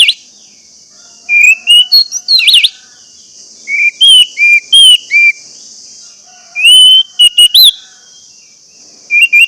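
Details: Orange-headed thrush lure song to coax quiet birds into singing, with several varied phrases of sweet, slurred whistles and sharp upward flicks, spaced a couple of seconds apart over a steady high-pitched background hiss.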